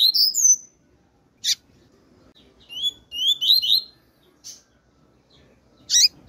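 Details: Female double-collared seedeater giving calls: a falling high whistle, isolated sharp chips, and a cluster of quick thin twittering notes, with further chips spaced about a second and a half apart.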